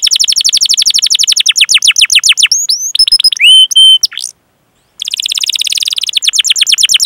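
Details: Canary song used to draw young or silent canaries into singing: rapid falling trill, twisting whistles and a flat pure note, a brief silence, then a dense buzzy roll.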